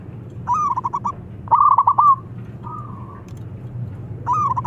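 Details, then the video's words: Local zebra dove calling to lure rival birds into song: trilled coos beginning with a rising note, then fast rhythmic pulses, plus one smooth sustained coo, over constant low rumble. "Perkutut Lokal Gacor Tukang Manggil Lawan Manggung"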